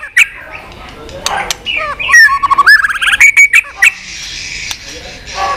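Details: White-rumped shama in continuous tchack mode, meant to rouse a low-spirited shama; scattered clicks, then a rapid run of clipped whistled notes stepping down and back up, ending in a soft hiss.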